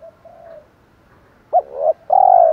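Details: Spotted dove calling 'thổ pha thúc' to lure wild birds: faint low humming notes, then a short hooked note, a rising coo, and a long, smooth, slowly falling coo.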